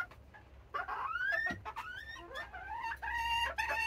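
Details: Noisy serama hens demanding to be let out in the morning: loud, drawn-out squawks that rise and bend in pitch, overlapping one another with barely a pause.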